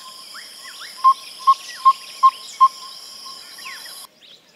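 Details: Yellow-rumped Tinkerbird call, not monotonous but in short bursts with a rhythm like an African Hoopoe; one burst of five clear, hollow, even notes at about two and a half per second, over a faint steady hiss.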